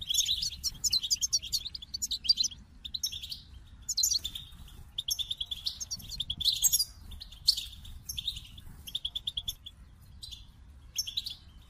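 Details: Goldfinch giving a long sequence of short high twittering phrases, each a quick tumble of bright chirps, separated by short silences.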